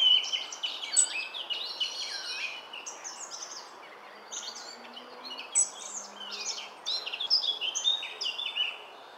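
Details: Wild European robin in Cornwall, recorded on 27 March 2014, singing a rich, fast, varied song of high tinkling trills, sharp whistles and twittering notes in tumbling phrases, louder at the start and end, with brief pauses between.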